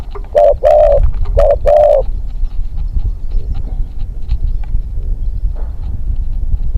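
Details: Young decoy spotted dove for hunting, taken out for training a second time, delivers a quick run of four hollow coo notes in the first two seconds, then only steady outdoor background noise follows.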